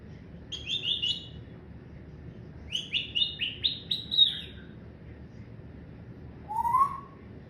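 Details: Household parrot known for laughing, talking and coughing makes a burst of three buzzy high notes, then a rapid run of six similar falling notes, and closes with a lower rising whistle.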